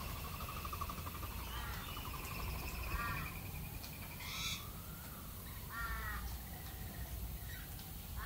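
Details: Australian galah giving several short, screechy, ringing calls spaced a second or two apart. They sound over a steady hiss of background noise and a low rumble.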